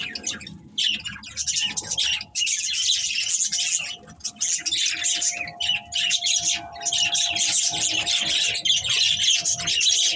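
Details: A breeding pair of pet budgerigars giving long runs of raspy, high chattering warble with harsh squawky notes, plus a faint steady hum underneath.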